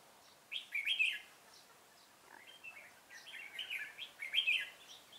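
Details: Red-whiskered bulbul at a trapping site, 25 April 2017, singing bright, bubbling whistled phrases in three bursts, each under a second long, separated by short pauses, with quiet background.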